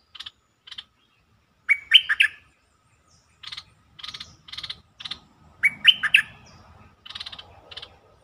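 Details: Bulbul lure song played to excite birds: two rich warbled phrases separated by a run of short, buzzy, rasping notes that repeat roughly every half second.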